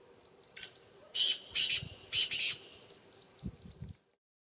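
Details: A black francolin calling at about 7000 ft in the Himalaya near Nainital, India, gives a harsh phrase: a short clipped note, then three or four rasping, buzzy notes in quick succession, followed by faint low thumps.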